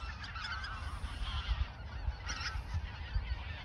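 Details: A large flock of geese calling together at Ochsenmoor nature reserve, autumn 2022, days before flying south; dense overlapping nasal honks and chatter with low rumbling wind beneath.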